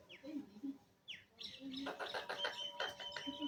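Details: Indian desi parrot making funny talking and mimicry sounds: two quick falling whistles, then a run of raspy, harmonic chattering notes with a steady high whistle tone running underneath, ending in a short squeak.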